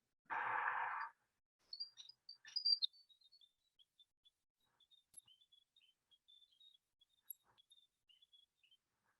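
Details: Grey warbler song, from a small New Zealand bush bird with a very loud call for its size that visits gardens mainly in spring. A long, thin, high, wavering trill drifts gently downward after a brief breathy sound at the start.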